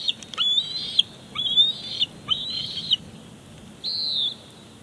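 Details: Wild bald eagles at a nest at Big Bear Lake on 18 July 2019, the father arriving with a fish for dinner as the chick grabs it; high, squeaky chittering notes in four short bursts, some thin whistled slurs.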